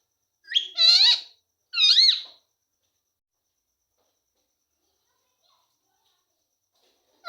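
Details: Ringneck parrot (rose-ringed parakeet) talking, saying "mummy papa": two short, harmonic, voice-like bursts in quick succession, each bending up and down in pitch, followed by several seconds of near silence.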